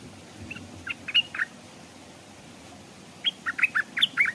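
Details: A decoy stripe-throated bulbul hung beside a stream, where wild bulbuls came but would not come down, gives two bursts of short, bubbly chirping notes rising and falling around mid-high pitch, over a soft hiss.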